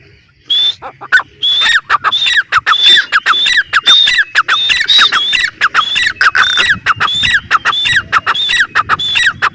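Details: Teetar, the grey francolin, gives a steady run of loud, shrill notes. Each is a rising whistle followed by a grating falling part, repeated over one and a half times a second throughout.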